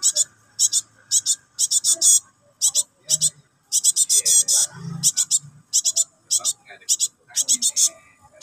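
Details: Chick of a cinereous tit begging its parent: steady series of grating, hissing rasps in quick pairs and triplets throughout, with soft low background sounds.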